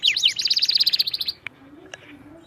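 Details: Canary song recorded as nonstop singing for teaching other canaries: a fast, bright trill of evenly repeated high notes lasting just over a second, then near silence with two faint clicks.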